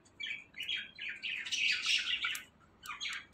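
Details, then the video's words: Five-year-old talking pet parrot: a burst of raspy, chattering, voice-like syllables rising and falling over about two seconds, then a short pause and a brief second burst, over a quiet indoor background. "5 Years Old Parrot Talking"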